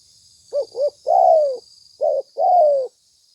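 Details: Spotted dove call recorded for use as a bird-trapping lure: two short wavering notes followed by a long, smooth, falling coo, then a shorter note and another long descending coo, over a steady high insect-like whine.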